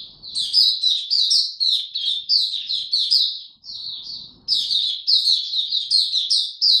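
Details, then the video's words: Continuous, lively high warbling from a caged Oriental white-eye, fast chirped notes strung together with one brief break near three and a half seconds, otherwise quiet. "Mata Puteh Dagger ramp up form buka tiong aw sing"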